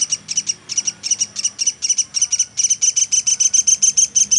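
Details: Local platuk sampit woodpecker used as a tutor for songbirds, chirping in quick high ticks that start slightly uneven and speed up into a tight, regular run.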